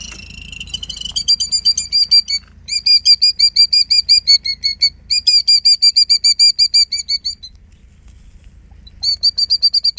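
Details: A female killdeer sitting on her eggs feigns injury to lure an approaching person away, giving rapid, shrill, high trilling notes in fast bursts, about three per second, with brief pauses, over a faint low rumble.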